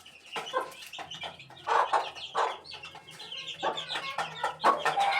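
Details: Eighteen-day-old chicken chick calling: a stream of short, high chirps mixed with broadband clucky notes, irregular and overlapping, with a low steady hum underneath.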